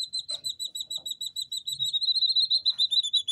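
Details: Three captive two-day-old jungle bush quail (Perdicula asiatica) chicks in the UK peep nonstop, high thin notes three or four a second with a slight downward slur, over faint soft rustles.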